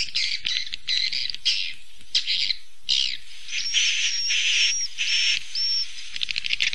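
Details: Swiftlets' roosting calls used to attract them into a three-storey house: dense high twittering chatter, later overlaid by short, thin, repeated whistles, with a faint low rumble beneath.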